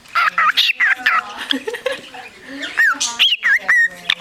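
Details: Parakeet in a shelter, 29 March 2010, described as a beatboxing bird: scratchy chirps and swooping whistles in uneven bursts, with quiet human voice underneath in the middle.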